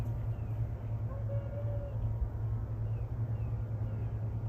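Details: Steady low vehicle rumble fills the recording, with faint traffic noise and no animal calls.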